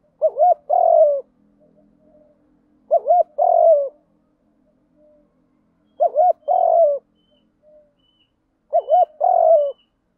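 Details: Field-style fighting coo of a spotted dove, used as a decoy for wild doves: four matching phrases about every three seconds, each a double hooked coo then a longer descending coo.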